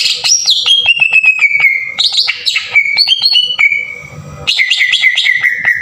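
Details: Green leafbird lure song with rough, emotional bursts, intended to set other leafbirds singing: long descending runs of clear whistles, sharp clicks between them, a short quieter pause, then a loud rush of buzzing and whistled notes.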